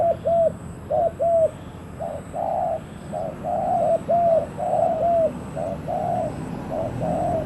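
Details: Decoy spotted dove luring wild doves: low mellow coos in pairs and longer drawn-out notes, partly overlapping as if more than one dove is calling, over a soft rustling background and faint high hum.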